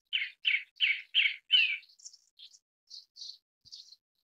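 Grey-backed Thrush giving five harsh, chattering notes in quick succession, then a few thinner, higher notes. No other sounds are heard.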